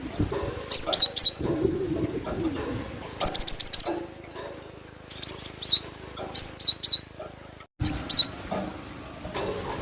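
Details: Cinereous tit (glatik batu) lure song used to attract birds: bursts of four to six high, sharp whistled notes with quick downward flicks, repeated in groups separated by short pauses, against a faint low hum.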